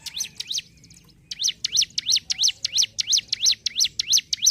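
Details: Hill prinia (ciblek gunung) in ngentrok song: two chirps, a pause with soft twittering, then a fast, regular volley of sharp dipping-rising notes about three per second.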